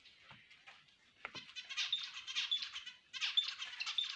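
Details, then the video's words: Several finches chatter in dense, buzzy bursts of high twittering notes with thin whistled tones, the birds overlapping and pausing briefly between runs. "finches birds singing!!finches birds ki ouaz!!"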